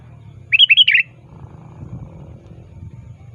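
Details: Sooty-headed bulbul in active, lively calling toward a rival, used as a lure: one quick burst of four bubbly, warbled notes over about half a second, then quiet with a low background hum.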